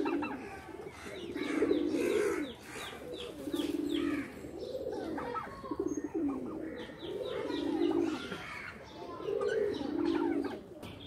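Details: Playful pigeons in a loft repeat steady, deep throbbing coos, five or six long phrases in a regular rhythm, with high chirps and scratchy sounds in between.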